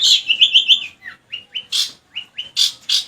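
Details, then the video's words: Long-tailed shrike in song containing lovebird imitations, mixing short rising whistled notes with harsh buzzy high chattering bursts at an irregular quick pace. "cendet gacor isian burung lovebird"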